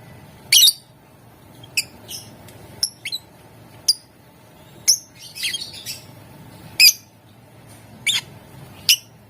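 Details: Lovebird chirping to coax fellow lovebirds into song: quick high squeaks and a harsh opening squawk, then scattered sharp chips and a short chattering run, steady low hum behind.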